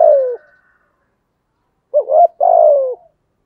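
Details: Spotted dove of the 'thổ' voice style cooing persistently as a lure for wild doves. The tail of a falling coo, a pause of one and a half seconds, then a complete phrase: quick double note and a long, low, downslurred coo.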